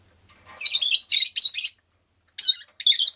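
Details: Pet rosy-faced lovebird (Agapornis roseicollis) chirping indoors: a burst of harsh, buzzy high-pitched chirps in quick succession, then a pause and two more sharp chirps; faint low hum at the start.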